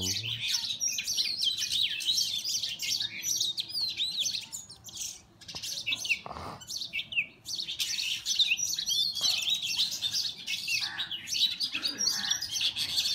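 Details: Oriental magpie-robins (Copsychus saularis) fighting, recorded on a mobile phone: dense, rapid, high chirps and scratchy squeaky notes pour out almost continuously, with brief lulls near five and seven seconds, over a faint low hum.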